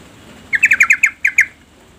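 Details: Yellow-vented bulbul female calling to get the male singing: a dense run of about eight quick, scratchy, chattering notes lasting under a second.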